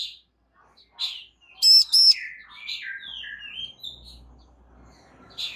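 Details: Calling female Bar-winged prinia, trying to draw a male into answering: one loud pair of piercing, clipped notes, surrounded by quieter sliding chirps and twitters from other birds.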